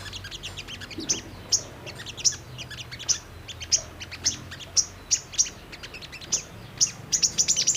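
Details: Brown-throated sunbird lure to get birds singing and reacting: thin, penetrating high chips repeated roughly every half second, ending in a rapid burst of ticks, over soft background chatter.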